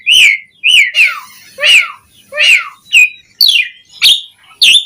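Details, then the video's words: Asian pied starling giving a series of loud, slurred whistles with rough, harsh edges, about eight notes spaced roughly half a second apart, recorded close indoors. "Suara Jalak Suren Gacor Auto Bongkar Isian Variasi Buat Pancingan Burung Jalak Agar Gacor Full Isian"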